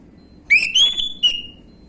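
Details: Young orange-headed thrush in gamblingan song style, recorded to coax other birds into answering: a whistled phrase sweeping upward, a held high note, then a clipped downward-sliding ending.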